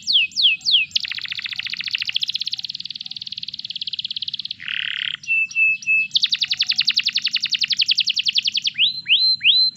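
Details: Canary song meant to encourage other canaries to join in: swooping whistles, long buzzy trills, a short harsh burst, then fast clear rattling notes and rising whistles.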